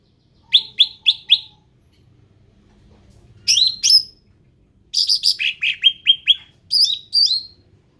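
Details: Ruby-throated bulbul, described as endemic, sings four evenly spaced rising whistles, pauses, then gives a buzzy descending phrase and a series of quick upswept notes ending in slurred calls.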